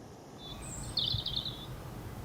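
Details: European robin singing in spring sunshine at RSPB Fowlmere, Cambridgeshire, on a crisp, cold spring morning, 10 April 2016: a brief song phrase of thin high notes, then a quick, sweet, warbling trill, over steady low wind rumble.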